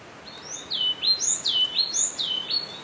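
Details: Yellow-cheeked tit (Machlolophus spilonotus) vocalizing within its social group: a run of bright, high-pitched phrases, each a short upward whistle that slides down into a lower note, delivered rapidly and evenly with little background noise.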